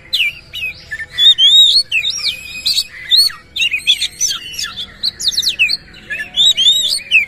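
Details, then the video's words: Oriental magpie-robin, a captive bird singing with its tail open. It pours out a dense, rough song of rapid rising and falling whistles, trills and grating notes with barely a pause. A faint low sliding tone appears near the end. "KACER GACOR BONGKAR ISIAN KASAR BUKA EKOR"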